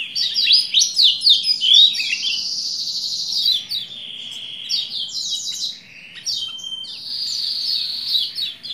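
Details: Lombok white-eye, kept as a cage bird, singing to provoke a male into song: a dense, continuous high twittering with fast buzzy trills and sweeping notes, barely pausing.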